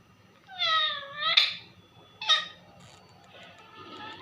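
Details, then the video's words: Pet parrot calling for its mummy indoors: two harsh, nasal, falling-then-rising calls with rich harmonics, followed by a short sharp note and faint trailing squeaks, with a low room hum beneath. "मिट्ठू मम्मी को बुला रहा |parrot calling mummy"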